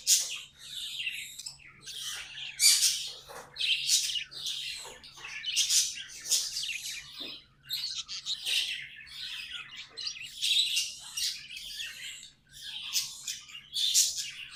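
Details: Budgerigars singing at length: an unbroken, lively chatter of high, buzzy twitters and squeaky chirps, swelling in loud bursts about every one to two seconds, with a steady low hum behind.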